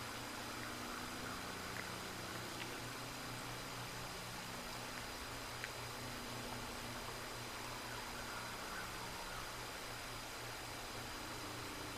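Quiet steady hiss and low hum at the Decorah North bald eagle nest, with a few faint clicks and no clear animal calls.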